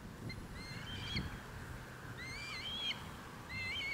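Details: Red Kites among more than 100 birds in East Northants on 23 November 2015; a few wavering whistled calls in short groups over low rumbling background noise.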